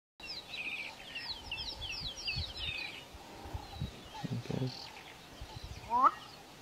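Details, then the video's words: A black-bellied bustard gives a low throaty croak, then a sharp rising pop-like note, with small birds twittering high in the background. "A Black bellied Bustard calls"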